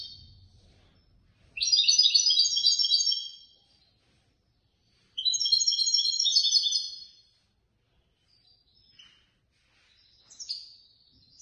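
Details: European goldfinch that took third place in a Casablanca bird association competition gives two sustained rapid twittering bursts, then scattered thin high notes, with faint low rumble early on.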